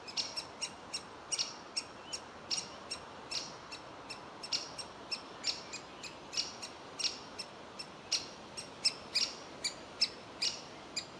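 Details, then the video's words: A young woodpecker in a tree hole demanding food while its parents urge it to leave: high, piercing chirps repeated quickly and evenly for several seconds, with soft background noise. "Ein junger Specht will seine Höhle nicht verlassen"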